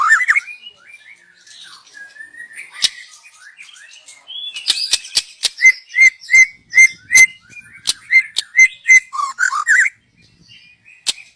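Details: Young wild white-rumped shama, song used as a lure: rambling soft warble, then a steady series of about ten clear short whistles at even spacing with clicks, ending in rising slurred notes.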